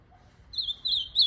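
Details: Ultramarine grosbeak singing three brief, high, sweet warbled phrases in quick succession, the last rising and loudest, over a quiet background.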